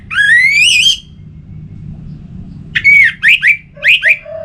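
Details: Orange-headed thrush song meant to stimulate singing, opening with a long rising whistle, then after a quiet gap a series of quick slurred whistled notes and a low flat note.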